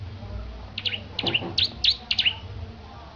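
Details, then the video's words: Short burst of about six high, twittering chirps, some doubled, from a Petarukan Bar-winged prinia being readied for a song contest, with faint low background noise. "Kicau Burung Petarukan Ciblek Gacor Persiapan Perlombaan"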